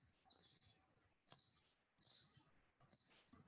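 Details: Pine Siskin giving its very shrill scree call, four buzzy, high-pitched notes each about half a second long, with faint background noise between them.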